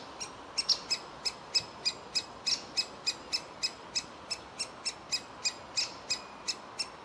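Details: Young woodpecker in its nest hole pleading to be fed: a fast, even series of piercing, clipped high notes, roughly three each second, over soft background hiss.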